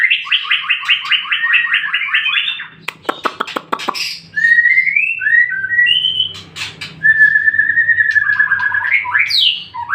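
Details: Lure song of a white-rumped shama meant to draw answers from other shamas: a rapid trill of repeated notes, then a burst of harsh clicks, followed by long clear whistled slurs and a final upswept note.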